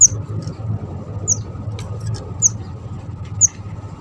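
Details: Java sparrow, kept as a trapping lure: four sharp, very high downslurred chips spaced about a second apart, over constant low rumbling hum.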